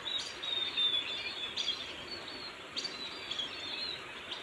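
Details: Baya weavers chattering steadily in a high, wheezy twitter, broken by sharp chirps about every second and a half, over a soft outdoor hiss.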